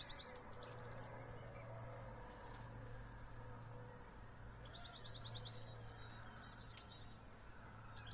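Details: Spring birdsong at sunrise: quick high trilled phrases of evenly spaced notes, repeated at intervals, with softer whistles and a persistent low traffic-like drone.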